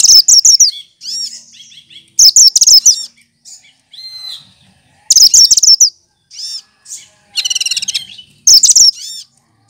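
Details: Green cucak kinoy leafbird imitating other birds' voices, used to train other songbirds: loud rapid chattering volleys every two to three seconds, interleaved with arched whistles and buzzy trills.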